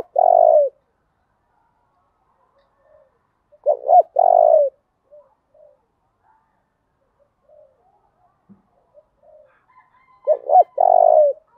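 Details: Spotted dove song in the rural "thổ đồng" style, used to stimulate males to respond: three loud cooing phrases roughly every five seconds, each a quick double note followed by a longer coo, with quiet distant coos between.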